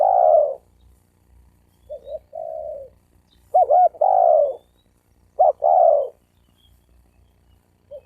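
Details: Spotted dove cooing, used to provoke males and females to fight: deep soft coos in short phrases, a quick double note followed by a longer drawn-out coo, repeated about every two seconds with quiet gaps.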